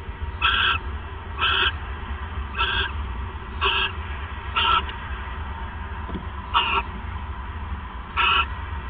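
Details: On the night of 28 December 2014, near 9:42 PM, with the male owl bringing a third mouse, seven harsh raspy bursts come at uneven gaps over a continuous low rumble.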